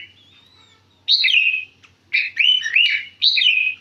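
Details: Sooty-headed bulbul kept in a cage in central Jakarta, Indonesia: a thin drawn-out whistle, then three loud, fluting, looping phrases about a second apart.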